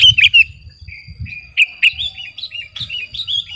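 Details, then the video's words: Sooty-headed bulbul (kutilang garuda) heard in chirpy song, a master recording for luring birds. It opens with sharp twitters, then gives a string of short, clear, slightly rising whistled notes, with soft low rumble beneath. "Burung KUTILANG GARUDA Gacor..!! cocok buat pikat masteran"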